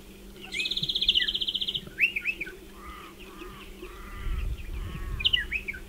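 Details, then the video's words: Striated pardalote calling near burrow nests in a dry stone wall, a fast, high buzzy trill followed by sharp chips and short clipped notes, over a faint steady hum. "Striated Pardalote calls"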